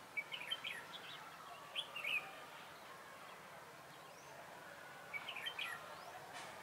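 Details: A red-whiskered bulbul lure bird at a trap on 3 November 2017 sings short clear chirping phrases, first a few rapid ones, then a long gap before another bright warbled burst.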